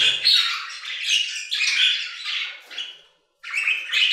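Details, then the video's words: Budgerigars singing in an aviary with continuous chirruping warble, rising and falling chatter and squeaky notes, a short silence, then the warbling starts again. "Budgie Songs - 1 hour of Budgies singing in the Aviary"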